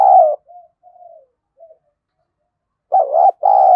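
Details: Spotted dove used as a lure for wild doves, singing in 'giọng thổ' voice. A loud low coo fades into soft murmured notes. After a short silence, a strong two-part coo phrase follows.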